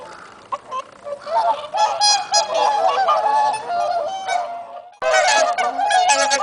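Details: Swans in mild, windless late-autumn sunshine call together in dense, overlapping honks, broken by a brief silence at five seconds before the chorus resumes.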